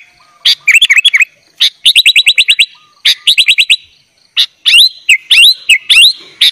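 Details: Training material for young bulbuls: a sooty-headed bulbul in 'gacor' song with 'isian' fillers delivers short volleys of rapid chips alternating with swooping, rising whistled phrases.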